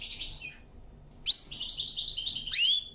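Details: Canary singing a powerful training song: a high buzzy phrase, a pause, then sharp upswept notes followed by a fast run of bright chirps and a final rising whistle.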